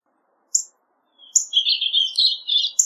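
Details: Purple Finch song: a thin high note, a pause, then a lively warbling run of quick slurred notes with sharp high accents.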